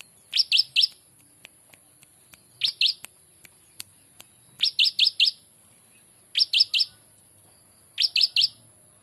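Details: Prinia singing a ciblek-style song recorded as a master track for training birds: evenly spaced bursts of three or four bright, rapid chip notes about every two seconds over a constant high-pitched hum.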